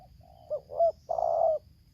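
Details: Spotted dove in Lampung, a decoy bird facing a wild dove during bird luring, giving the 'tarik akar selang nguku' song style: a short low coo, a rising hooked coo, then a long drawn-out steady coo, over faint background hum.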